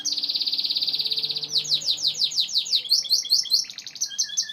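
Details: Domestic Gloster canary song opening with a rapid, even high trill lasting about a second and a half, then breaking into repeated descending slurred notes and finishing with brighter, higher chirps.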